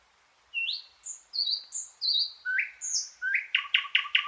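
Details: Thrush nightingale song: pure whistled notes at varied pitches, some rising, then a rapid series of five loud knocking clicks with low undertones, clean background.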